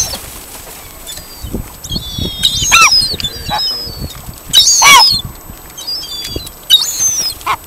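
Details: Hungry gulls by the harbour at Ullapool, Wester Ross, Scotland: a few scattered high, down-slurred squealing calls rising out of quiet background noise, with brief wing-like rustles between them.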